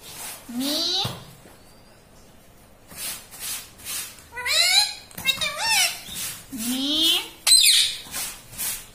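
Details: Indoor pet parrot trained to talk, saying words like "mummy". One squeaky syllable, a quiet pause, then bursts of harsh, chattering, speech-like squawks and rising whistly notes.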